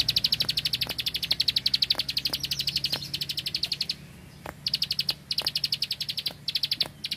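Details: Bar-winged prinia, a field bird, delivering 'tembakan bren' bursts: dense volleys of high clicking notes. The song stops for about half a second, then resumes with several more strings.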